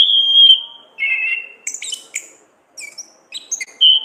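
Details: Orange-headed thrush singing for a masteran training track in ngeplong and ngriwik style: a long clear high whistle, a lower held whistle, then scratchy chattering bursts and a closing pure whistled note.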